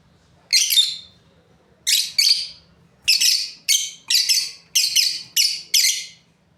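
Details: Paired lovebirds giving loud, buzzy high chirps, first single then in tight doubled notes, about ten calls with clean quiet between them.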